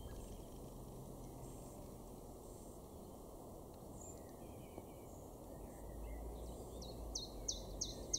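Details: A common chiffchaff in a garden in Weener, East Frisia, northwest Germany, in May 2023, sings a quick run of bright, high notes at about two per second toward the end, over steady low rumbling background noise.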